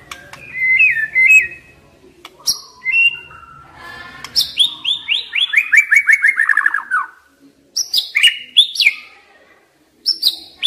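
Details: White-rumped shama singing to stimulate young wild-caught birds: short whistled notes, then a fast descending series of bright clipped notes, followed by higher scattered chirps with pauses between.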